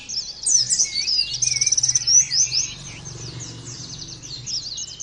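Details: High, rapid twittering song of a kept Oriental white-eye, thin squeaky chirps and a short rattling trill, quieter and sparser in the second half.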